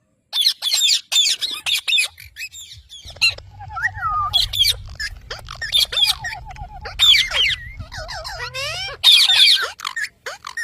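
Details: Talking pet parrots, a compilation moment: harsh squawks and wavering chirps over a steady low hum, with several tonal slurred notes mixed into the chatter.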